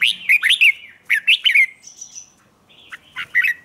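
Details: Red-whiskered bulbul singing a morning 'ché' song for training: a rapid series of slurred, bubbling whistled notes, a thin high whistle, then a few more short bright phrases.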